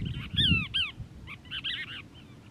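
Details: A Cassin's Kingbird from a family group, 19 December 2021, Crystal Cove State Park, Moro Canyon, California, gives two loud, burry, down-slurred notes, then a quick run of harsh chattering notes over a low rumble.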